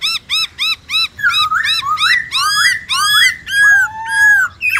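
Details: Black-throated laughingthrush (khướu bạc má) in 'forest voice' song: short arched whistled notes repeated steadily, then loud rising slurred whistles and a long falling note.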